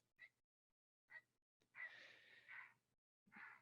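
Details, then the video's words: A startled Great Blue Heron, typically silent at a pond unless disturbed, gives harsh, hoarse squawks: two short rasps, one long grating croak, then another rasp, all within four seconds. "that's just a startled call of a heron"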